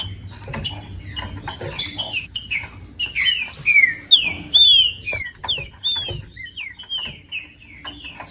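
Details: Green-winged saltator singing to stir a cold bird into song, as favoured by tournament breeders; after scattered clicks, clear down-slurred whistled notes follow in a quick run, roughly two per second, with a dry ticking background.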